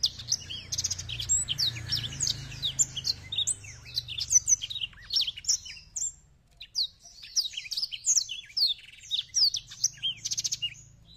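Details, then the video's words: A Botswana black-throated canary sings a fast, continuous run of high, sweet twittering and trilled phrases with quick rising and falling notes, with a low hum underneath. "BLACKTHROAT BOSTWANA ALUNAN ORIGINAL BUKA SAYAP"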